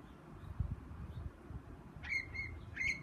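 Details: A Steller's jay chirping in a tree gives three harsh, nasal calls in quick succession over a steady low rumble of wind or distant traffic.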